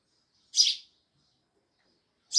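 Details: Sparrows chirping loudly, two single bright harsh chirps separated by nearly two seconds of quiet.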